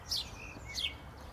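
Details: Sparrows chirping loudly at a main cemetery in Germany, where traffic noise fades and only birdsong is heard: two short, bright chirps about two-thirds of a second apart, each dipping slightly in pitch, over a faint low rumble; sparrow.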